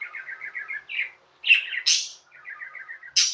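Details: Pet budgies chirping indoors, soft rapid trilled notes in a stuttering series, broken by loud harsh high chirps and a squawky burst.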